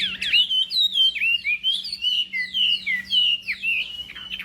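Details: Chinese hwamei during morning voice training for a singing contest: a brisk series of bright whistled phrases with downward slurs, about two per second, over a faint low steady hum.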